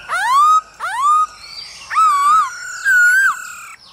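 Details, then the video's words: Hwamei male singing to a female, used to train birds: loud rising whistles twice, then two long wavering whistled notes with softer phrases between. "Khướu trống hót múa cực đỉnh kèm tiếng mái ro kích quá hay"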